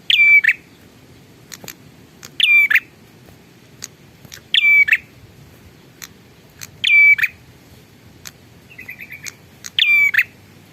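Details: Bar-winged prinia repeating a loud rattle-and-whistle phrase about every two to three seconds, five times in all, with one short run of quick chirps and faint clicks in between.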